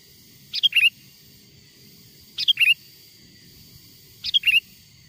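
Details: Sooty-headed bulbul lure call, an original wild song meant to make wild bulbuls approach: three brief liquid phrases, each a quick downward pair of notes, repeated roughly every two seconds against a low hum.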